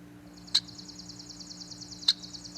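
A male Red-winged Blackbird gives two short, sharp 'chack' notes about one and a half seconds apart. A steady high buzzing trill and a low hum continue underneath.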